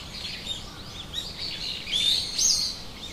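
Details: Australian king parrot (Alisterus scapularis), a local bird in eastern Australia, giving thin, high chirps and two louder shrill upward whistles, over a soft steady hiss of background noise.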